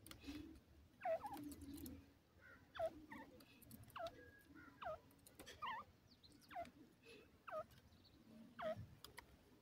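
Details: Grey francolin, locally called Dakhni teetar, gives a series of short, sharply down-slurred whistled notes, roughly one a second, about seven in all, over faint low background rumble and scattered clicks.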